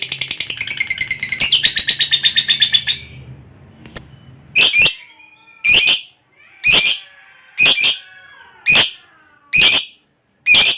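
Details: Lovebird ngekek trill used as a lure to get other lovebirds singing: a three-second burst of rapid, high chatter, then a string of separate harsh squawks roughly once a second.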